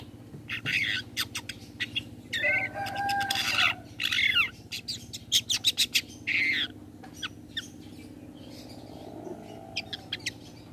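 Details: Long-tailed shrike giving its toet toet call, used as a lure to make other shrikes answer; harsh, raspy squawks in rapid bursts mixed with longer grating phrases, over a steady low background hum.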